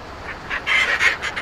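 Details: A Northern fulmar at its cliff nesting site at Foreness, Southeast England, on a sunny early-summer morning gives noisy courtship calls: harsh, guttural cackling bursts, about four or five a second, rising to a louder rough chatter midway.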